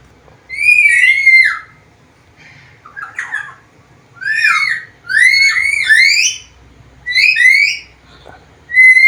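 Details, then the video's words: Black-capped lory in full voice makes a series of loud, rising and falling whistles with a few harsher squawks between them. The calls are spaced one to two seconds apart in a quiet room. "MASTERAN BURUNG NURI KEPALA HITAM GACOR BISA NGOMONG SUARA BERVARIASI"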